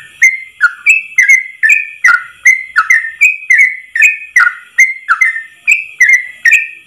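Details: Yellow-vented bulbul song in the ropel style, used as a training recording, one long breath of phrases: clear whistled notes, each slurring up or down, repeated about two to three times a second in a steady unbroken run.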